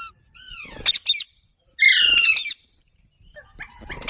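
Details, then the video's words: Parrot producing a pair of falling whistled notes and sharp clicks, then one long, loud, rasping squawk, with softer scattered noises afterward. "Funny Parrot Sounds Videos| Mitthu Ki Awaaz| Parrot Ki Awaaz"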